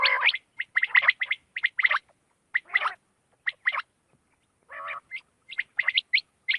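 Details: Quail heard at night with short, gravelly call bursts roughly once a second, grouped loosely, a lower burbling phrase near the middle and thinner sharp notes toward the end.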